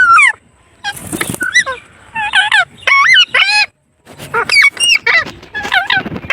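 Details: Parrot giving a rapid series of harmonic, sharply bending notes: a falling squeal, a harsh noisy burst, then arched and rising calls in quick clusters, a short silence, and more chattering notes.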